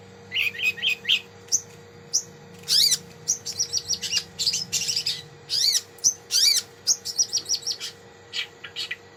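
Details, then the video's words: Varied 'isian' song of a long-tailed shrike (cendet), of the kind used as master material to stimulate other birds: quick chips mixed with loud rising-and-falling sweeping notes, delivered in irregular bursts over a faint steady hum. "Cendet Isian Mewah || Kompilasi Burung Cendet"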